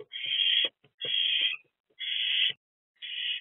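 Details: Three owlets staying in a nest box on 13 April 2024: four steady harsh hissing screeches, each about half a second, evenly spaced, with low muffled thumps and shuffling beneath.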